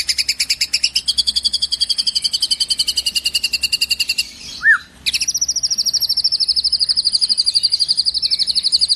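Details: White-rumped shama song mimicking sparrows and shrikes: a long fast trill of high notes, a brief pause with one low upslurred whistle, then a second extended rapid trill at higher pitch.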